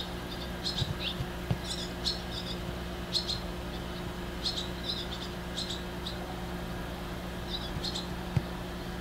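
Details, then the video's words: Very young barn swallows perching on an electric cable give soft, short, high chirps in scattered clusters. The chirps are faint against a steady low hum and broad background noise. "Just enjoy watching cute Barn Swallows"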